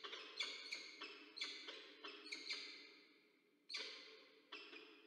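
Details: Peregrine falcons, a pair together at the nest in Orange, New South Wales, Australia, 6 April 2024, captured by a nest camera. Hoarse, chattering notes follow in quick groups, then a gap and two further calls.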